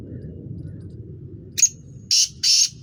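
A black francolin gives three harsh, grating notes in just over a second, the last two longer and rasping, over a low background rumble.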